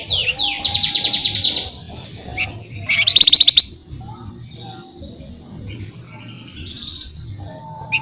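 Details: Flamboyan, described as a lively songbird given to steady rolling trills: a quick run of high, rapidly repeated notes, a pause, then a loud harsh crackling burst, followed by scattered faint chirps.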